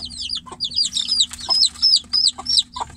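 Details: Domestic chicks calling for the mother hen from inside a cage: bright, descending whistled peeps given in quick bursts, some notes long and sweeping, separated by brief pauses.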